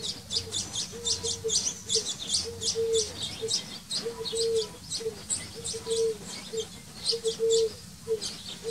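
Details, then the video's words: Common linnets (Linaria cannabina), male and female, in a garden in spring–summer 2021, around feeding of young and song: rapid, high twittering chirps in bursts throughout, over a repeated low steady hum. "KONOPKA OBECNÁ - sameček, samička, krmení mláďat, zpěv"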